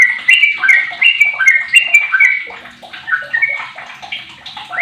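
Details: Sooty-headed bulbul, a 15-year-old bird, singing as a lure to set other bulbuls singing: a dense, bubbly run of short liquid notes that slide up and down, overlapping phrases with brief pauses between bursts.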